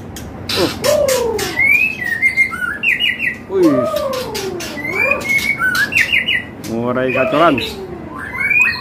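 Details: A caged White-rumped shama in a bird warehouse sings energetically: loud, varied whistled phrases, rising and falling slurs with quick chattering and harsh notes between them, with a faint murmur behind.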